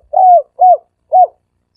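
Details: Dove giving a three-coo call of the kind used as a decoy lure: three short, mellow, arched coos, evenly spaced about half a second apart, with no other sounds.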